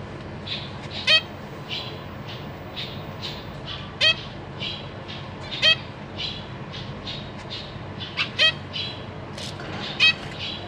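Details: Captive zebra finch chicks, recently hatched and being fed by their parents, give rapid high, harsh begging chatter with loud nasal squawks about every three seconds over a steady hiss.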